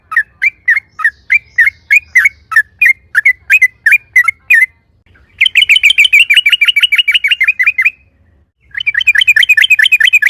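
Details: Loud yellow-vented bulbul meant to make other bulbuls respond: a string of evenly spaced whistled chirps, then a long, very rapid chattering rattle in 'ropel' style, a pause, and another fast rattle.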